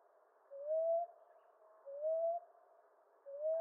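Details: Common ground dove from eastern North America: three mellow rising hoo notes, each about half a second long, spaced about 1.4 seconds apart.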